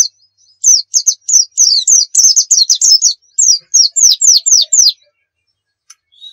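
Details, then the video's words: A Pacitan pleci dakun white-eye, lively and full of varied phrases: a steady series of about fifteen high, downslurred notes, roughly four per second, then quiet with one faint whistle. "masteran pleci gacor nembak full isian"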